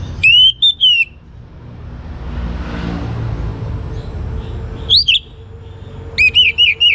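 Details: A young orange-headed thrush sings to stir other birds into song: a phrase of bright, down-slurred whistles, a long pause filled with low hum, then a short twitter and a closing series of four ringing, looped notes.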